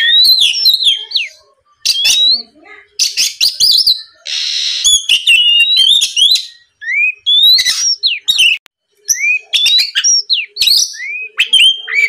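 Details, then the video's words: Rich, energetic Oriental magpie-robin singing, played to spur rival birds to reply: bursts of clear whistles, upward sweeps and chattering notes in phrases separated by brief gaps, with one short burst of hiss midway. "MEMANCING KACER LAWAN AGAR LEKAS BUNYI NYAUT & GACOR, SUARA PIKAT BURUNG KACER GACOR NGEPLONG"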